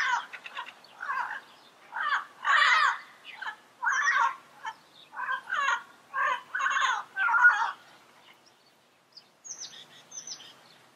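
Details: Wild yellow-headed parrots give a run of loud, harsh, rasping squawks and chatters in quick succession for about eight seconds, then fall quiet while thin high whistles from other birds continue.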